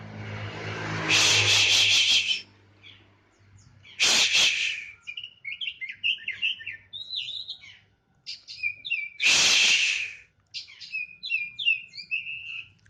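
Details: Oriental magpie-robin of the kacer poci type, set out to sun in the morning: soft scratchy twittering and varied chattering notes, broken by several loud rushing bursts of noise.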